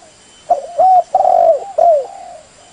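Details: Spotted dove call, offered as a lure sound for trapping birds: one mellow cooing phrase of four or five soft, slightly bending coos with a longer drawn middle note, over a faint steady high electronic whine.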